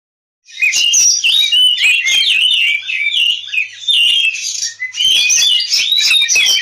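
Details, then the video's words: Oriental magpie-robin singing in fighting mode, used as a lure to make other birds sing: a continuous, loud, varied stream of whistles, trills and buzzy notes after a short silence, with a brief dip near the end. "suara Kacer ngobra tarung, pancingan kacer agar cepat gacor"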